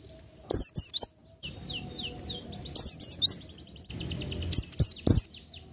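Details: Oriental white-eye singing in the 'ngalas nembak' style used for tutoring other songbirds: three bursts of very high, rapid twittering notes with thin downward-sliding whistles, separated by short pauses, with low clicks and faint background rumble.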